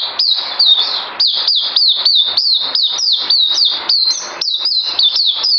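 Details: A bird recorded 9 December 2018 sings a rapid, continuous run of shrill notes, each swooping downward, evenly spaced at roughly three per second.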